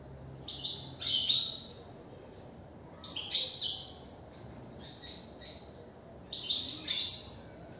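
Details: Goldfinch singing in a cage, delivering several rapid, high, chattering phrases with buzzy and squeaky notes in bursts around three seconds apart, softer fragments between them, over a low steady hum.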